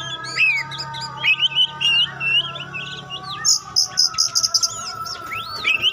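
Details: Kacer pastol, an Oriental magpie-robin, used to test other magpie-robins. It sings loud, looping whistled phrases mixed with a fast, high ticking rattle and upswept notes, over a constant low hum.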